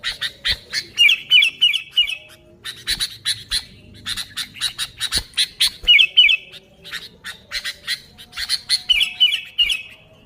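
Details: Lively Sooty-headed bulbul calling, used for luring bulbuls: rapid harsh squawky notes about three per second, with short bubbling trilled phrases worked in several times.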